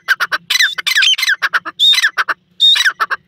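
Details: Teetar, the black francolin, calling loudly in a rapid rasping series of harsh clicking notes, about a dozen in three seconds, some phrases ending in a brief high whistle. No other sounds.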